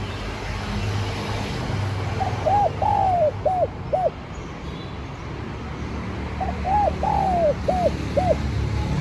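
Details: Cooing of a spotted dove used to call in wild doves: two identical phrases of mellow arched hoots, each with one long sliding note, about four seconds apart, over a low engine-like rumble.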